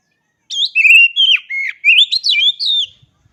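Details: Oriental magpie-robin song: after half a second of silence, a loud string of fluting whistles, dipping slurs and rising notes runs for about two and a half seconds in a quiet setting.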